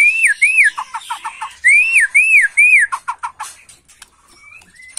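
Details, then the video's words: Agitated white-rumped shama in macul style: loud arched whistles repeated in pairs, each followed by a quick series of lower clipped notes, then a few fading chirps and soft whistles. "Murai Batu emosi Gaya MACUL"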